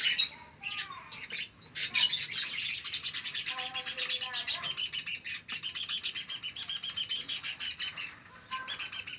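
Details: Local canary chick aged one month twittering rapidly, with a few clear whistled notes early on, then a long, fast, buzzy chatter of repeated high notes.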